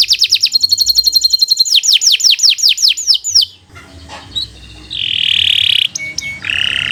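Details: Canary song from a training recording for young or silent birds: a fast rattling trill, then a row of downward-sweeping whistles, followed by quieter background with a brief buzzy rasp and thin high tones.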